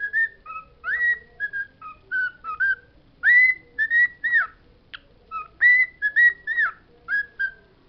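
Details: Pet bird vocalising the words it knows, with rhythmic whistled syllables about two to three per second, many sliding up then down, plus a few louder emphatic notes in the middle.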